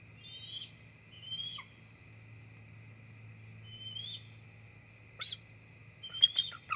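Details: Two adult bald eagles arrive at the nest just before dark in October, the female perching on a side limb. Several thin, high whistled notes come first, then sharper shrill piping notes in a quick burst near the end.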